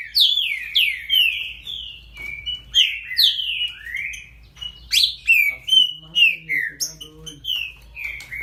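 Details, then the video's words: Great-billed seed finch giving a baderninha song: loud, ringing whistles slurring downward in quick succession, a short gap midway, then another run of bright notes. A faint low murmur sits in the background. "AQUELA BADERNINHA PERFEITA ?"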